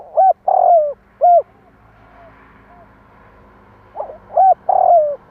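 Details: Spotted dove call for stimulating wild doves: two rounded hoots around a long sliding coo, a lull with faint fading notes, then another coo phrase ending in a drawn-out falling note, low hum in the background.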